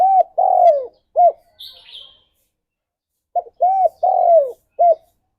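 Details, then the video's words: Spotted dove in lively song, meant to lure and prompt others to sing: low rounded coos in short-long-long-short phrases, two phrases separated by a pause with a thin higher chirp. "Burung Tekukur Gacor Suara - Merdu Untuk Pikat Dan Pancingan"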